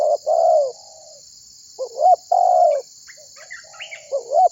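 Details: Spotted dove drawing other birds to call: long falling coos and short hooked notes, with faint high chirps from other birds near the end.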